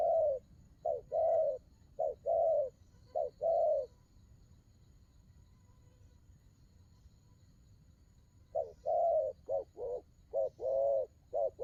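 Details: Spotted dove giving a series of low, hollow coos, short and longer notes alternating, then a pause of several seconds before another rapid run of coos, with faint low rumble behind.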